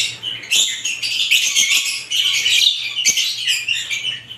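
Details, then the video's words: Various lovebirds twittering in a busy chorus of high, squeaky, rapid chirps that run almost without pause, with short sharp clicks mixed in. "ibat ibang klasing uri ng love birds sarap nilang pakinggan habang na humuhuni"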